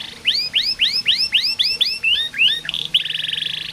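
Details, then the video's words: Canary singing a series of about ten looping upswept whistled notes, each around a quarter second apart, ending in a tight buzzy trill; meant to stimulate canaries that sing poorly. "KENARI malas bunyi, Terapi burung macet/susah bunyi masteran kenari"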